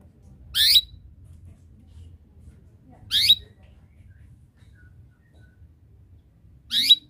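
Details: Canary, a singing bird calling rivals to join in, giving three short sharp upward-sweeping chirps spaced about three seconds apart over a faint low hum.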